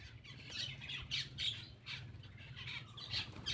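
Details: Short run of harsh, buzzy squawks from a black-winged myna as it feeds, repeated in quick clusters over a noticeable low-pitched hum.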